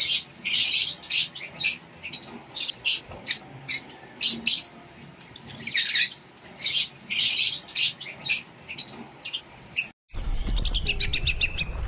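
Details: Rosy-faced lovebird chicks, locally called non-klep lovebird, being fed by a parent inside a nest box in Indonesia; dense bursts of harsh, high chattering squeaks in rapid pulses, ending with a loud noisy rustle.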